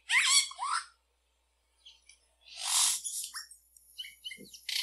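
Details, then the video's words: Yellow-rumped cacique song mixing harsh crackling bursts with whistled, sliding notes and scattered short chirps, a long buzzy phrase in the middle and a loud harsh ending. "Canto de xexéu"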